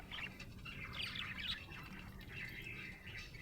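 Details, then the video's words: Chirping of a happy budgerigar: an unbroken stream of fast, scratchy warbles and squeaky chirps over a faint low hum. "Happy budgie chirping sound"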